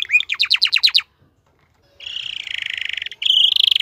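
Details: Male canary, a domesticated cage bird, in song: a quick burst of sharp repeated notes, a silent gap, then a steady buzzy rolling trill and another high trill starting.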